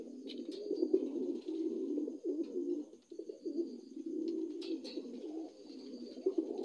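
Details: Dun Lahore pigeons, new adults, give deep rolling coos in surging bursts, with a short lull near the middle, and sharp clicks and taps in between.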